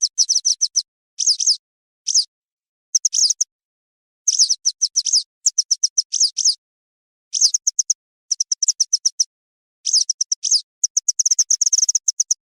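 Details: Western yellow wagtail calling, described as the best sound for hunting. Dense bursts of high, thin chips and buzzy downslurred notes are broken by short gaps. The clip ends in a long, fast, unbroken chatter of repeated notes.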